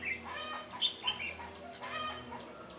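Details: Red-whiskered bulbul used as a decoy while trapping wild bulbuls on 13 January 2017, singing in fighting style; a few short, bright whistled notes stand out over a busy, muffled background of other bird chatter.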